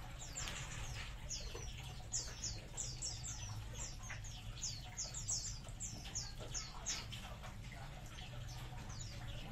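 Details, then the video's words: Many munias in a colony chipping constantly, short high descending notes overlapping in loose clusters, over low rumbling background noise. "COLONI BURUNG EMPRIT"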